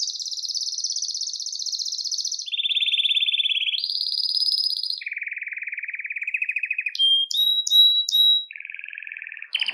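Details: Belgian canary song intended to attract and call canaries: a sequence of sustained rapid trills shifting between high and lower pitches, then sharp whistled notes and a low buzzy trill.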